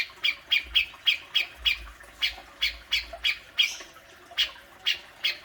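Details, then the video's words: Grey-cheeked bulbul with besetan singing meant to stir a caged bird into song: loud, piercing squawk-like notes fired rapidly, over three per second at first, then spacing out, with a faint low hum beneath. "Burung cucak jenggot,besetanya luar biasa"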